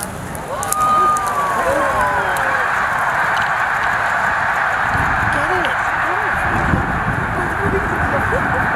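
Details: About 90,000 snow geese take off together from a field near a lake at Middle Creek Wildlife Management Area, Pennsylvania, on 22 February 2020. They make a continuous roar of overlapping nasal, yelping honks over the low rush of many wingbeats.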